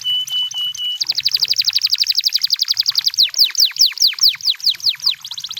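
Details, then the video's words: Canary singing in the wild: a few pure level whistles, then a long fast trill slowing into loud downslurred whistled notes about three per second, ending in another quick trill. "The Sound of Canaries in The Wild! You Will Love The Sound"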